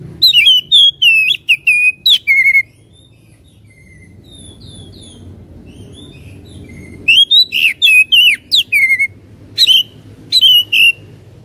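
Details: Oriental magpie-robin singing to provoke a fighting mood: rapid, varied whistled and chattering phrases in a two-second outburst, a pause of soft notes, then another vigorous run of loud slurred whistles.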